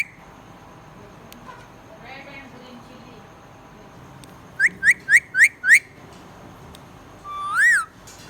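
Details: Budgerigar chirping happily: a quick run of five short, sharp whistled chirps, followed by one longer arched whistle that rises and falls, over quiet faint background chatter.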